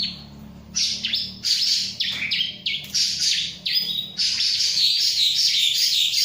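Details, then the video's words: A ciblek (bar-winged prinia) delivers loud, rapid chirping song of short falling notes that merge into an unbroken high, buzzy trill, with a low hum underneath. "Burung CIBLEK ga stress sama jalak"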